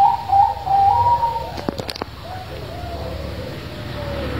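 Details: Zebra dove with a big, deep voice, used as a lure to get quiet doves to sing; mellow, bubbling coos open the recording, followed by a few sharp clicks and then a soft, drawn-out tone.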